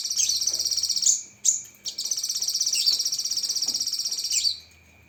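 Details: Cucak kinoi leafbird giving a spicy 'tembakan' song filling: long runs of very fast, high, buzzy trilled chatter broken by sharp whistled accents, almost continuous for four seconds, with a steady thin whine behind.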